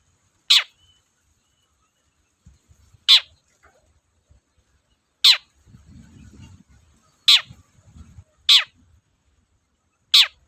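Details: Long-tailed shrike used as a lure to rouse silent or lazy shrikes into singing: short, sharp, high harsh notes given singly about every two seconds, six in all, with a faint low rumble in between.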